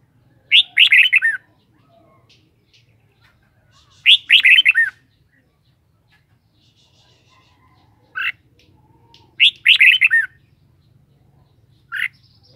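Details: Red-whiskered bulbul singing short bright warbled phrases of four to five quick whistled notes, repeated about every four seconds with single clipped notes between, over a faint low hum.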